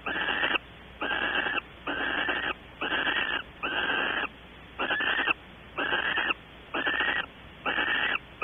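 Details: Barn owl activity at a nest box at Audubon Starr Ranch, California, during evening mating and waiting. Nine rough, breathy hissing screeches follow one another in a steady rhythm, each about half a second long with short gaps, against a faint constant hum.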